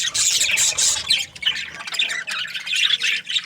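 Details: Aviary of breeding budgerigar pairs giving busy, overlapping chirps and harsh squawks, loudest in the opening second, then continuing as a restless chorus with short dips between bursts.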